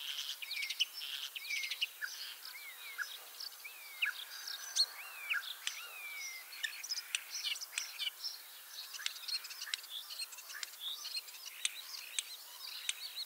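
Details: Ringed common starling in Liepāja, Latvia, third spring there: a long, soft, continuous warble of clicks, crackles and a few slurred whistles, fairly low in level.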